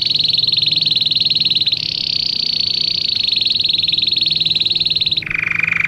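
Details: Belgian canary song used to train canaries: an extended high rapid trill shifting slightly in pitch, then dropping into a lower buzzy roll at the end.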